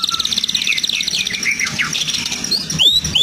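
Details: Medan-type white-rumped shama, caged, in song full of lovebird, canary and cililin imitations: fast stuttering high notes blending into tumbling whistled slurs, ending with clear rising whistles.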